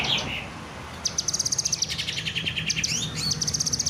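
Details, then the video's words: Kinoy bird giving high, fast repeated chips in strings: a short slurred note first, then a steady rattle-like series and a final run of quick notes rising then holding high, over low background rumble. "burung kinoy gacor"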